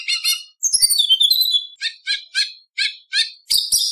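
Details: White-rumped shama in full competition song rich in mimicry, opening with a harsh stacked note and a descending whistled sweep, then a run of short chirping bursts roughly every third of a second, ending in loud rasping notes.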